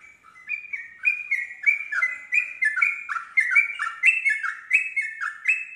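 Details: Yellow-vented bulbul singing to provoke a quiet untrained bulbul into answering and joining its rapid continuous song. Loud bubbly two-note phrases in quick succession, stepping between low and high, repeated more than once a second without pause.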